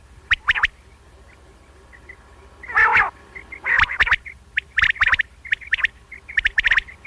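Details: Common quail (batair), sounds used for morning and night hunting: a fast series of sharp three-note phrases, with one nasal grunt and faint short whistles between them. They may come from several birds.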